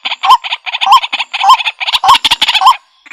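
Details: White-breasted waterhen calling in a fast series of short, harsh notes, each with a brief upslurred tone, grouped in bursts of about two per second with brief gaps.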